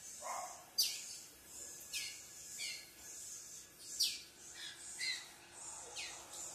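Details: Green-winged saltator whose owner asks why it is acting this way gives sharp, high notes that slide steeply downward, about one each second, over a steady background hiss.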